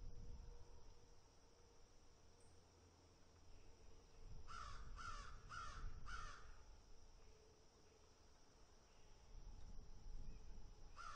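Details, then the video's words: Crows picking and eating give a run of four harsh, evenly spaced caws in the middle stretch, with a low rumbling background and a steady faint hum throughout. "Animal Sound, Crows Picking and Eating"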